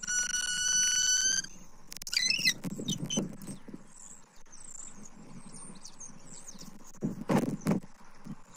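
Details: Bald eagle at the nest in Southwest Florida, 29 October 2024, amid repeated food deliveries by the male to the female: a long loud squealing note, then a quick burst of chittering, followed by faint high chirps and scattered knocks.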